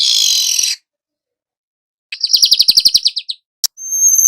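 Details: Young weaver in continuous song, kept to set off other birds: harsh buzzy burst, then a quick string of about a dozen sharp high chips, a brief click and a thin sustained whistle.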